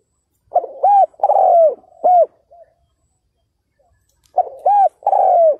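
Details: Decoy spotted dove luring wild males, giving two coo phrases about four seconds apart, each with short arched notes around a long downslurred coo, the first ending in a faint trailing note.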